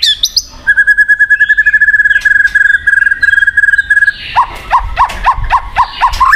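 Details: White-rumped shama (murai batu) song played as a lure to get a silent shama singing: a long run of rapid identical notes at one steady pitch, then a lower series of quick sharp downslurred notes repeated about twice a second.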